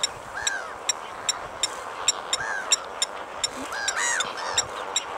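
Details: Sparse, sharp metallic clinks from a Blacksmith lapwing, spaced roughly every half second, alongside several looping arched calls and a broad noisy background.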